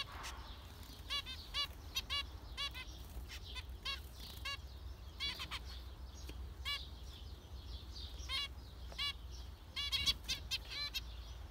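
Several zebra finches give short nasal, toy-trumpet-like beeps, often in quick pairs or triplets, over a steady low background hum.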